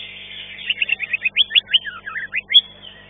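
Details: Green leafbird performing in a singing contest, ranked fifth: a lively run of about a dozen crisp, clipped whistles and slurred notes in quick succession, over the continuous hissing chatter of rival birds.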